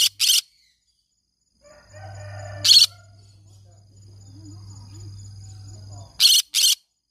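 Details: Green-cheeked conure parrot calling, said to sing all day long; three loud, harsh, broadband screeches in short bursts, one at the start, one midway and a close pair at the end, over a low steady electrical hum.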